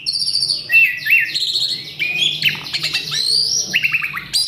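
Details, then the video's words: Excited male Asian pied starling pours out a fast, varied song of mimicked phrases. The song mixes clipped whistles, rising slurs, buzzy stuttering notes and a short run of stepped piping near the end. "Si Jalu Emosi | Suren Ngamuk | Full Isian"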